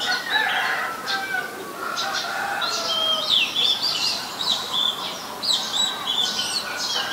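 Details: Oriental magpie-robin, a very common resident, recorded in Ubon Ratchathani, Thailand, on 23 December 2019 with a Nikon P1000: varied bright whistled notes and quick slurred phrases, some buzzy, with lower mellow tones mixed in.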